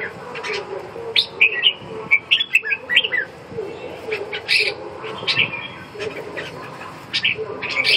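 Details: Red-whiskered bulbul singing: short bright whistled phrases with quick up-and-down notes, given in bursts with pauses between, plus sharp clicks and a low background murmur.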